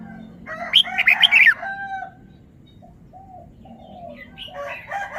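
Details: Caged red-whiskered bulbul displaying its song phrases: one loud, quick burst of jumbled liquid whistles lasting under a second, then quiet, with faint short tones from other birds afterward.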